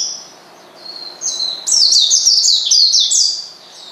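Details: Oriental white-eye calling to provoke a rival, a quiet opening followed by an intense, fast run of high, falling chirps that fades at the end.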